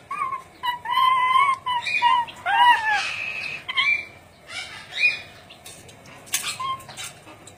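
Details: Ornate lorikeet, Trichoglossus ornatus, uttering a series of buzzy, harmonic-rich nasal calls, some level and some bending downward, followed by sparser squeaks and soft clicks.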